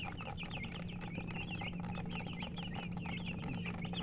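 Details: Colored chickens, called murgi hens, give a dense stream of quick, high, twisting chirps from several birds at once, with a steady low hum beneath.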